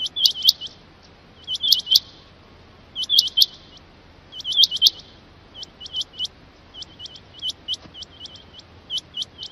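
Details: Loud Rain quail calling: bursts of three or four sharp upswept notes, then a longer run of evenly spaced single and paired notes toward the end.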